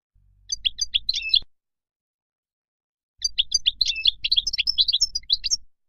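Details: European goldfinch singing in the wild style, played so young birds learn the song: a brief cluster of bright twittering notes, silence, then an extended rapid stream of high tinkling chirps and trills.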